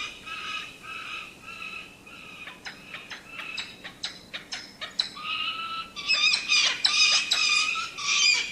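A falcon gives harsh, high squealing notes, first drawn-out then in quick sharp bursts about twice a second, growing louder and more strident toward the end.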